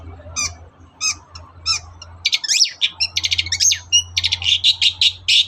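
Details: Morning lure song of a long-tailed shrike: spaced harsh notes at first, then an accelerating jumble of grating chatter, stuttered clicks and squeaky whistles, over a steady low hum.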